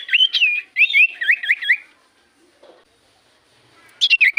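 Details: Common iora song used as a lure to prompt other birds to answer: loud whistled notes rapidly sliding up and down in wavy phrases, a pause of quiet, then a burst of sharp chirps at the end.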